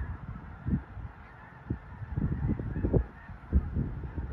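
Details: A flock of snow geese on migration near Leigh, Nebraska calls in a dense, unbroken chorus of honks. Frequent low thumps and wind rumble run underneath.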